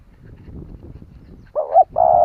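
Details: Decoy spotted dove calling to draw responses from other doves; low rumbling background gives way to a short wavering hoot and then a sustained steady coo running to the end.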